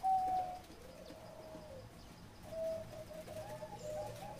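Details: Zebra dove, 'tap'-style singing: one clear level coo, then soft wavering coos and a later cluster of short, rising and falling notes, faint throughout.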